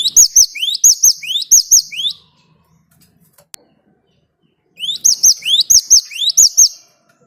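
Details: Great tit (Parus major) in vigorous rolling song, used as a lure to make other birds sing: two bursts of quick rising whistled sweeps, each ending in a bright high note, about four phrases per burst, separated by a few quiet seconds.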